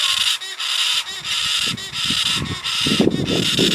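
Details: Young galah giving a harsh, hissing rasp that runs almost continuously, broken by short gaps roughly every half second, with soft low thumps and rustling beneath.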